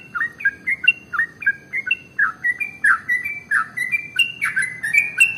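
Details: Sooty-headed bulbul, a male described as an energetic, long continuous singer, used as a lure to get other birds singing; steady run of short liquid notes, each a quick rise then drop, about one per second, with a faint low background hum.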